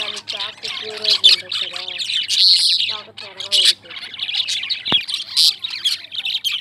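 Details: Lovebirds chattering with shrill high chirps and harsh bursts, over lower wavering whistled notes and one sharp click.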